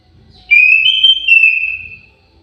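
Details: An orange-headed thrush kept in an aviary gives a clear, sustained whistled phrase. The pure tone holds steady, lifts slightly in the middle, then trails off over about one and a half seconds. A soft low rumble is underneath.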